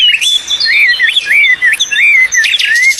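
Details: Songbird singing clear whistled phrases, slurred notes sweeping up and down and repeated roughly every half second, with brief sharp higher chirps mixed in; no other sounds stand out.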